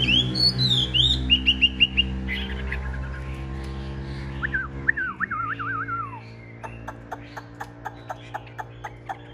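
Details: Chinese hwamei of large build, a caged fighting-display bird: bright repeated whistles, then a wavering warbled phrase, followed by a series of regular sharp clicks over low humming background.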